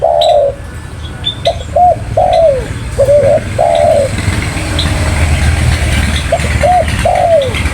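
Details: Spotted dove, locally tekukur, described as highly vocal, giving soft hollow coos in short phrases of two or three notes, some slurring downward, repeated across the recording; faint chirps of other birds and a low, steady background rumble.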